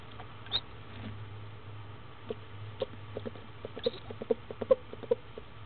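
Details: Barred owlet in Florida, only hours old, taking its second meal at 10am on 19 February 2015; a low hum first, then soft peeping chirps that quicken into a run of short notes toward the end.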